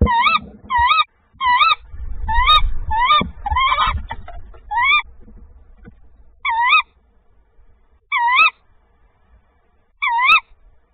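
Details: Tawny owl (Strix aluco), 25 February 2024, during a second prey delivery, giving sharp, hooked, slightly nasal calls, quickly at first, then single notes about every two seconds; low rustling and thumping at the start.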